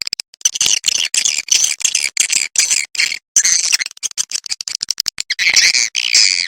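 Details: Edible-nest swiftlet calls played to lure swiftlets to roost: dense, buzzy, high chittering in rapid bursts, chopped by short silences, loud and continuous throughout.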